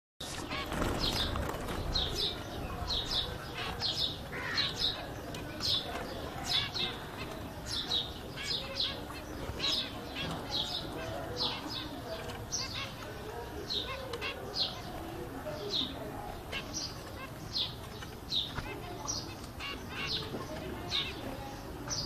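Zebra finches give short, nasal, toy-trumpet beeps in a steady, busy stream.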